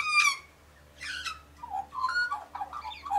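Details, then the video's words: Australian magpie singing near pink galahs, a mix of bright harsh high notes and lower liquid warbled phrases in quick succession. "Australian Magpie Warbles with Pink Galahs"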